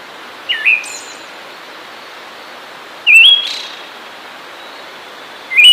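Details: Song of a Siberian thrush: a looping whistle, then a stepped rising whistle with a buzzy high tail, then the start of another phrase, separated by pauses of about two and a half seconds; faint steady hiss behind.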